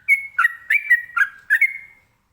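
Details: Sooty-headed bulbul (trucukan) in ropelan song to get other birds answering: a long opening whistle followed by four quick slurred whistled phrases, ending on a drawn-out note.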